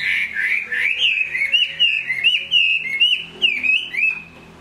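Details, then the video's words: Hwamei song recorded in the rain, a rich continuous run of loud whistled notes, warbling up and down with quick rising flicks and trills for nearly five seconds. "Họa mi hót trong mưa"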